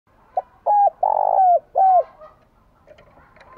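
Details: A spotted dove kept as a decoy bird, calling to stir up and lure wild doves: one short note, then three low coos, the middle one long and rough, followed by faint softer notes.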